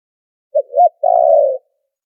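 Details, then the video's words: Filtered spotted dove lure call for trapping birds: a clipped hoot, a swelling second note, and a drawn-out pulsing coo that fades slightly lower, otherwise silent. "Tiếng chim cu gáy chuẩn kích mồi đã lọc tạp âm | file mp3 cu gáy kích bổi"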